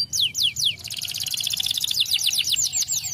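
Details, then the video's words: Canary singing to stimulate lazy canaries: a few descending whistled sweeps, then a dense rapid trill of high notes running on for over two seconds. "canário escolha é ótimo para estimular o som de canários preguiçosos cantando"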